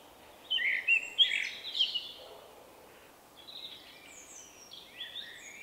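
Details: Common Blackbird song from a shy male with a distinctive phrase, March 2024; a burst of rich whistled notes in the first half, then a quieter, higher twittering tail after a pause, with steady background hiss.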